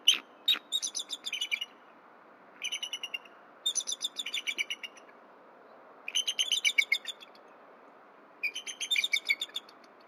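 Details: Pair of bald eagles at a nest with eggs at 9:11 am on 31 December, the female returning and exchanging vocals with her mate before mating on a branch; bursts of rapid, high, squeaky chittering notes, five runs about every two seconds.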